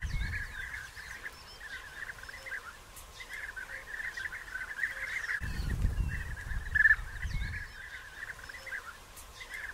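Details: European bee-eaters, early June 2021, at nest burrows being dug during the time of bridal gifts and copulation; an unbroken chorus of throaty trilled notes with a few louder single calls, and a burst of low rumble through the middle.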